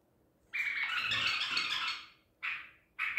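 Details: White-eared bulbul, a Baghdadi type caught at Medical City, recorded 14 April 2021: a long rich chattering warble of about one and a half seconds, followed by two short bright phrases.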